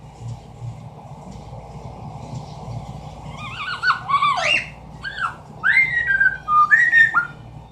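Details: Pet Amazon parrot imitating sounds in a room: a quick run of wavering, warbled whistles, rising and falling notes and short chirpy squawks, bunched together over about four seconds.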